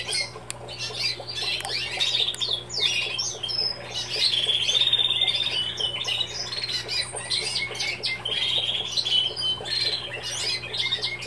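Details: Young Timbrado canaries hatched in 2016, males and females, beginning to sing and developing their song: a rambling mix of twittering, trilled and warbled phrases with thin whistles, rather unstructured, over a steady low hum.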